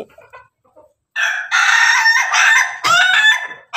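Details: A Pelung-Bangkok rooster eating together with hens gives a few soft low clucks, then a loud, drawn-out crow in several ringing, harmonic phrases.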